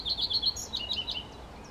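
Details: Common redstart singing: a brisk run of four high paired chirps, then a few slightly lower, varied twittering notes that end within about a second and a half, over a quiet background.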